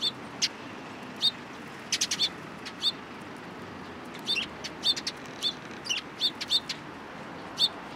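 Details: Sparrows coming close to be fed at a Tenmangu shrine, 29 March 2023. Sharp, high chirps arrive singly or in quick pairs every half second to a second, with short gaps of quiet hiss between them.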